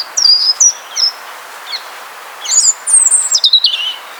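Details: European robin singing an evening serenade: thin, silvery high whistles in short separate phrases, some sliding down, others rising quickly, with brief pauses between bursts against a quiet background.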